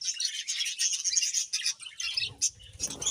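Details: Budgerigars chattering in a fast, high, twittering stream of chirps and squeaks, followed by fluttering rustles near the end.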